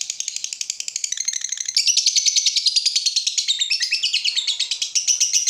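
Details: Lovebird in steady song as a lure: rapid, rasping chatter of high notes, quieter and pulsed at first, then louder and more continuous from about two seconds on.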